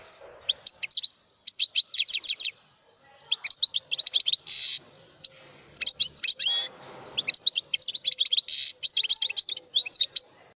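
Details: Mutation European goldfinch in continuous song, fast liquid twitters and chirps delivered in dense runs, punctuated by short buzzy wheezes, with only brief gaps between phrases and little background noise.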